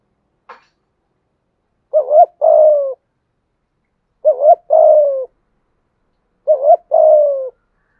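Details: Repeated spotted dove cooing from a full calling, urging and cooing routine used to rouse other doves: three evenly spaced phrases, each a wavering double coo followed by a longer dropping one, with a faint click at the start.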